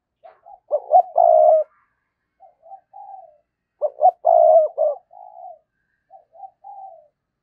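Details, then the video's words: Spotted dove kept as a lure bird, calling to draw in wild doves: two full cooing phrases of quick low hoots swelling into a throaty rolling coo, each followed by soft, fading trailing notes. "tiếng cu gáy - Chim Cu Mồi Thúc Và Gáy Gọi"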